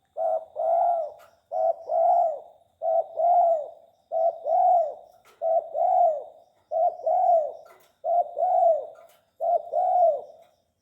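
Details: A tame spotted dove gives a steady run of eight two-part coos. Each is a brief lead note, then a fuller rounded coo, spaced evenly about every 1.3 seconds against a quiet background.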